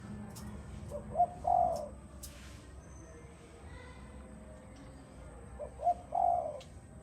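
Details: Spotted dove, Malaysian type, calling in the 'giọng đồng' song style: two phrases about five seconds apart, each a short low coo followed by a longer, drawn-out hollow coo, over faint background hiss.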